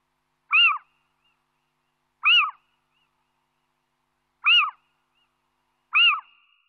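A male little owl gives four sharp, yelping 'kiew' alarm notes, each short and arched in pitch, spaced one and a half to two seconds apart against silence.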